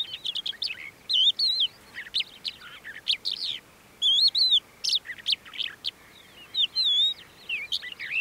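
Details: Crested lark in Bismil, Turkey, 2016, singing a lively, high run of liquid whistles and sliding fluty notes, broken by short twittering chirps, phrases following each other every second or so.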